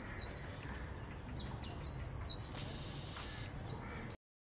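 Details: An Asian gray robin sings high, thin whistled notes that slur sharply downward in quick runs, then a brief buzzy trill, over a steady low background rumble.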